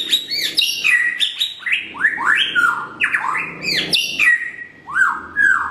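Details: White-rumped shama of the blorok (pied) variety, morning song used as a training lure: loud whistled phrases with steep falling and rising sweeps, notes jumping between high and middle pitch in quick succession.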